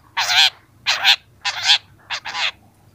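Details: Young long-tailed shrike in a training recording for young birds, giving four harsh, grating, nasal notes about half a second each, the last split into two quick parts, over a faint low hum.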